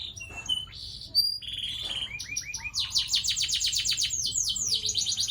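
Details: Canary singing a long roll. Scattered thin whistles and brief buzzy notes open the song, then it builds into a sustained fast series of loud descending sweeps repeated several times a second.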